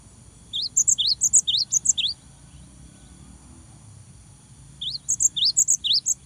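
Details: Persistent cinereous tit song played to rouse young birds into daily singing: two bursts of rapid paired whistles, a low rising note then a high clipped one, with about three seconds of near silence between.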